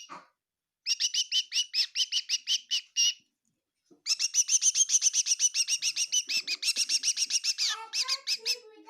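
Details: Rapid repeated chirping from a bird inside a kitchen near Kohima: a steady run of sharp, evenly spaced notes, then a pause and a denser, faster burst of overlapping chirps ending in a few lower, drawn-out tones.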